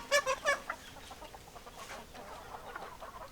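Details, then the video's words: Domestic chickens: three loud, ringing clucks open the passage in quick succession, followed by softer scattered clucking from other birds in the background. "Chicken Sounds Noises Hens Clucking Roosters Crowing"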